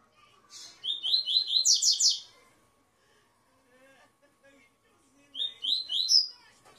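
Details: Tui tui song of a captive double-collared seedeater. A fast, ringing series of repeated high notes lasts about a second and a half, followed by a pause and then a second, similar phrase.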